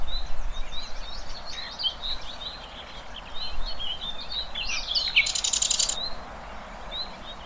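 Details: Birds calling in nature: a steady chorus of thin high chirps and twitters, interrupted by a brief, intense buzzy rattle lasting under a second.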